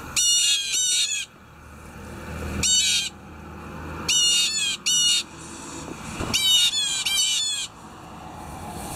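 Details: Blue jays calling in the morning and waking the listener give loud, harsh, raspy jeers in quick clusters of two or three, with short pauses between bursts, over faint background hiss.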